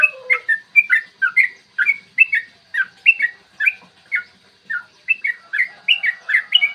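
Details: Morning recording of a yellow-vented bulbul's long, rapid fighting song, played to make other bulbuls sing and become aggressive: crisp, warbling whistled notes about two per second, bouncing between higher and lower pitches, with a faint low whistle at the start.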